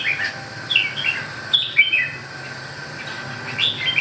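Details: Red-whiskered bulbul singing: short bright whistled and warbled phrases in bursts, with brief pauses between them, plus a soft low hum in the background.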